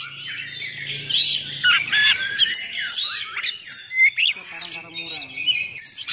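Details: Oriental magpie-robin singing rough, dense fill-in phrases meant to provoke and train other magpie-robins; a harsh, crowded jumble of squawky high notes, then a run of clipped chirps repeated in quick succession.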